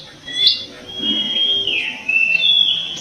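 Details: Bar-winged prinia singing in an aviary: thin high whistled notes, some held level and some sliding down, strung together over a steady background hiss.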